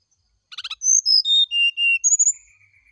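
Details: Morning song of a brown-chested jungle flycatcher, meant to prompt an answer: rapid clicks, a falling series of pure whistles, then a rising high phrase and a fading thin note.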